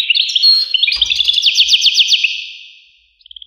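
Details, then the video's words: European goldfinch twitter with a rapid series of repeated sweeping notes that fades out, followed by a few soft tinkling chirps; a faint low thump is heard. "voice carduelis- Tweets the birds. Tones a bird Goldfinch. voice goldfinch-"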